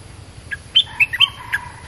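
Stripe-throated bulbul giving a quick run of bright, liquid chirping notes, five or six in under a second, against a faint steady hiss.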